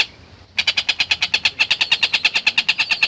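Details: Long-tailed shrike masteran recording of a vigorously singing bird. After half a second of near-silence, it launches into a fast, regular train of scratchy, buzzy notes, roughly three per second, holding the same pitch throughout.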